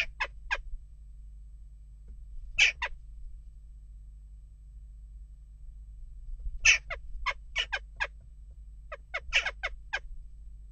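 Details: Western jackdaws calling at a nest box amid unrest, short harsh broadband calls in scattered bursts of two to six, with quiet gaps between and a low steady hum beneath.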